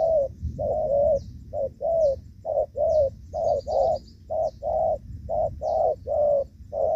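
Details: Rainy-season decoy trapping of spotted doves, 23 July 2024, gù vấp cooing: steady run of deep, rounded coo notes, some short and some longer, paced roughly every half second, with faint distant twittering.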